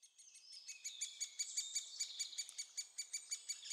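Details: Young great spotted woodpeckers being fed in Staverden, the Netherlands: a rapid, fairly quiet run of high, harsh chirps, about two to three per second, faint at the start and growing steadier.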